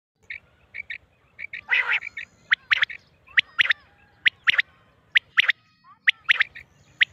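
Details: Female quail call recording from Mianwali used for quail hunting: short clipped notes repeated in quick irregular clusters, about once a second, with a brief rougher burst near the start.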